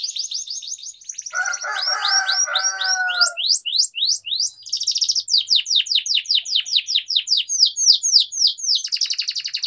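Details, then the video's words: Atlantic canary practising its song for singing training, giving a long varied flow of high trills and rapid downslurred notes, with a lower warbling passage early on, almost without pause. "Canary Singing Training || Kenari Gacor Panjang Cuit Cuit Emosi, Pancingan Kenari Paud Belajar Bunyi"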